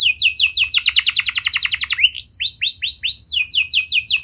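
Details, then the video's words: Canary lure song for young canaries: quick downward-sweeping notes, a rich fast trill, a row of clear looping whistles, then more sweeping notes repeated several times a second. "Pancingan Burung Kenari Muda! Ampuh Buat Mengatasi Kenari Muda Susah Gacor"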